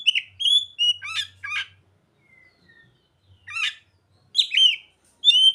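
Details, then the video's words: Mimicked ciblek and sogon phrases in an Oriental magpie-robin's song: short whistled slurs and stacked chirps in groups, a quiet gap with faint thin notes, then more abrupt chirping bursts. "Kacer isian burung ciblek dan sogon"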